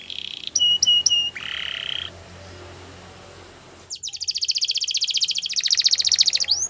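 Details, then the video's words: Belgian canary song recorded for training, opening with high whistled and buzzy notes, a hushed pause, then a loud rapid trill of evenly repeated bright notes rising in speed and ending in a sharp upward sweep. "The best canary training | Belgian canary"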